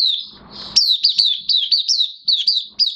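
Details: Oriental white-eye in minor moult singing a steady string of high, bright, down-slurred chirps at a quick pace after a short soft warble, with some brief rustling.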